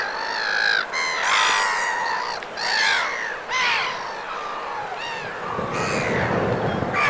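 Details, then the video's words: Black-headed gulls in winter plumage, Vilaine estuary, Morbihan, France, 22 February: loud grating screeches, some rising then falling, given in uneven bursts about once a second, with a low rushing noise near the end. "MOUETTE Rieuse/Mue d'Hiver ! BRUITX"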